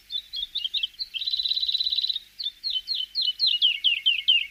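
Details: Javan bush lark song on a training recording for cage birds: scattered sharp chirps lead into a dense one-second buzzing trill, then a series of downslurred, slightly spaced whistled notes.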